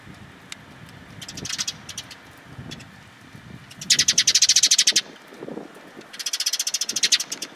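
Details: Sparrows coming to be fed, recorded on 27 March 2022 along the way out; two bursts of rapid, bright chirps repeated in quick trains, over low traffic rumble and scattered softer chirps.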